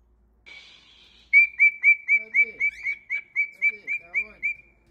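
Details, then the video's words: Cockatiel repeating a short, bright whistled note about four times per second in an even series of roughly fifteen, with faint soft chatter beneath. "Enchanting Cockatiels Singing Various Songs"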